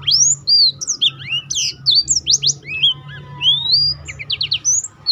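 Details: Song of a black-throated canary kept for training other birds, which it provokes into singing; nonstop high twittering of swooping whistles, rising slurs and short rapid trills.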